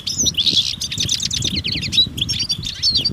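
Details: Collective twittering of European goldfinches in natural surroundings, mating and readiness calls that stimulate males: lively rapid chirps, slurred notes and sweet trills in close succession, soft low background noise.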